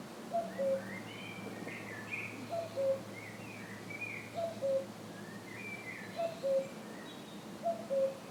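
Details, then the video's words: Wild cuckoo calling near the ruins of the Château de Fallavier, a steady falling two-note 'cuck-oo' given five times at even gaps, while smaller birds chirp and twitter higher up throughout. "The croon of a wild Cuckoo bird"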